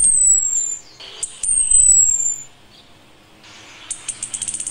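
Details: Female Orange-headed thrush calling a male while in breeding condition, giving thin, high whistles sliding downward, then a run of rapid dry ticking notes at the close.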